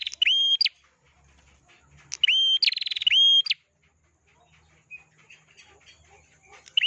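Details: Actively singing prinia: three bursts of strong, level whistles ending in a quick upward flick, one with a buzzy rattle between them, followed by faint scattered chirps.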